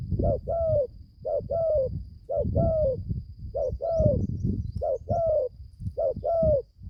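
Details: Young spotted dove newly calling, on its first training trip into the forest: regular paired coos, a short hoot followed by a longer sliding one, over steady low rumbling background noise.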